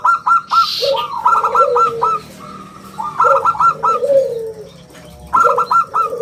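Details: Zebra dove of a local strain singing eagerly, a crystal round-voiced song meant to lure and train other birds: three clusters of quick staccato coos, each followed by a drawn-out lower falling coo, plus a brief hiss early on.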